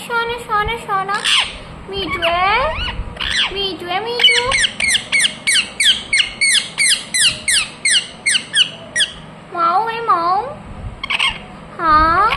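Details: Pet ringneck parrot giving drawn-out, wavering talking-like notes, then a fast run of sharp, shrill squawks repeated about three times a second for several seconds, ending with more sliding, speech-like sounds.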